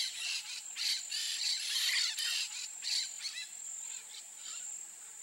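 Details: Peach-fronted parakeet (Eupsittula aurea) gives harsh, grating screeches in quick bursts of about three per second, over a steady high insect-like hiss.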